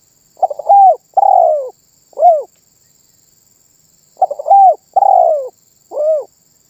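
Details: Cooing 'manggung' song of a spotted dove, said to draw answering calls from other birds. Two phrases roughly four seconds apart: brief stutter, mellow held coo sliding downward, then a short arched final note, in a quiet setting.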